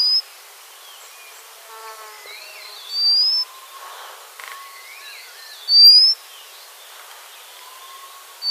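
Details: White-crowned redstart giving thin, high whistles that sweep upward, repeated about every three seconds, with faint laddered notes and other soft bird calls between them in a quiet setting.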